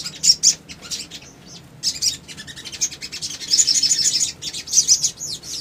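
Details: High-pitched song of a male little spiderhunter used to bait other birds, clustered bursts of sharp metallic chips with gaps between, a dense rattling run in the second half.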